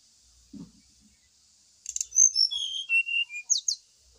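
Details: Brown-chested jungle flycatcher lure song for a bird set out in the morning dew: a faint low knock, then a two-second phrase of pure whistles falling in pitch and closing with rapid high upslurs, over a steady high-pitched hiss.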